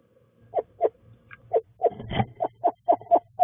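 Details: A female Eastern screech owl giving backyard courting calls late on an early-winter evening: short, hollow, mid-pitched hoots, about four a second, quickening into a bouncing series over a low hum.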